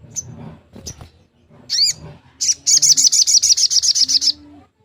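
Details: Long-tailed shrike in the fast 'nembak' singing style, used to rouse silent shrikes into song: a few scattered high chirps and a rising-falling whistled note, then a rapid burst of about fourteen sharp high notes.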